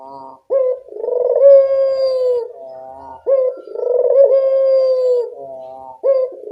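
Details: Evening cooing of a Barbary dove, used to lure quiet doves into calling: clipped rising introductory notes, each followed by a drawn-out, vibrating coo, about three phrases in steady rhythm.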